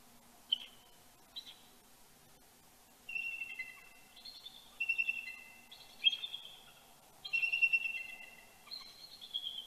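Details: Mated bald eagles at Big Bear, California, trading morning greetings before sunrise, 26 October 2019, others also calling: two sharp single notes open, then a run of high, squeaky chittering phrases, each slightly falling, over a low steady hum.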